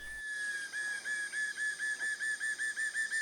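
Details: Black-and-yellow Broadbill in forest at Hup Takhian, Prachuap Khiri Khan, Thailand, 2025, in the same spot as dusky broadbills, giving a rapid, steady series of clear whistled notes, about five or six a second, over a constant high insect hum.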